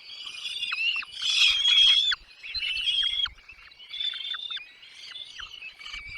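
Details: Nestlings in a nest calling as both parents bring food, a continuous high-pitched chorus of harsh, wavering cheeps with short downward-slurred notes, swelling loudest near the start then easing.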